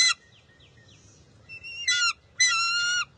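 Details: Bald eagle eaglet at its nest, June 23, 2021, squabbling with its mother for a fish it will not share. A sharp squeal, a few soft falling chirps, then two strong, ringing, high-pitched squeals.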